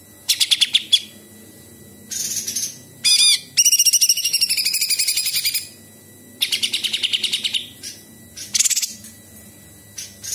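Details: Bulbul (cucak cungkok) singing actively as a training recording, with imitated fill-ins of small birds, large birds and insects: bursts of rapid, high chirps and trills, some buzzy, in separate phrases with short pauses between them.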